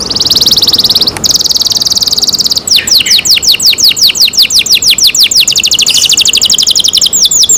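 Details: Canary cared for by its keeper, singing loudly: a long rapid buzzy trill held for over two seconds, then a fast string of sharply descending whistled notes and a quick rattling roll.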